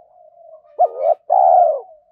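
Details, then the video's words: Cooing of a Spotted dove kept as a decoy for training captive doves: one phrase of a brief abrupt note sliding into a swelling coo, a pause, then a long steady low hooting note fading away. "tiếng chim cu gáy tập bổi new, giúp bổi rất nhanh gáy theo"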